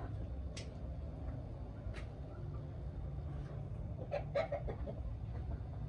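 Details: Hens checking out new coops: a few isolated taps early on, then a tight cluster of short clucks around the four-second mark, all over a steady low drone.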